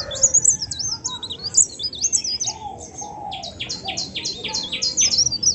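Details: Bird from Indonesia singing high twisting whistles, then a steady string of quick, evenly spaced sharp notes, over a low hum of background noise.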